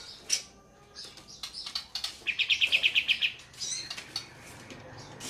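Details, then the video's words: Sooty-headed bulbul, locally kapas tembak, singing its rolling 'ngeroll tembak' phrase: a tight, rapid series of crisp repeated chirps in the middle of the recording, framed by scattered higher squeaks, rustling and trickling water. "Burung Kapas Tembak Ombyokan Sudah Gacor Ngeroll"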